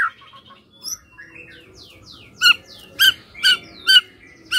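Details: White-rumped shama song used as a lure to prompt other shamas to answer: a varied run of whistled and squawky notes, then falling sweeps, ending in four loud harmonic notes repeated about every half second.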